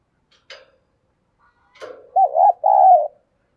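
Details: Spotted dove used as a decoy to attract wild doves. A couple of faint clicks are followed by a low hooting coo phrase of two short notes and a longer steady one.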